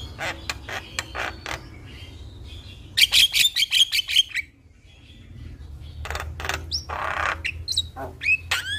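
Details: Javan myna song used to trigger singing in a quiet myna. Harsh chatters and a rapid run of sharp notes are followed by a brief lull, then curved whistles return.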